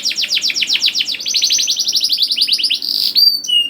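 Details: Canary singing to coax juvenile canaries into song: a long, fast rolling series of descending whistled chirps, speeding into a tighter trill, ending with sharp clear whistles.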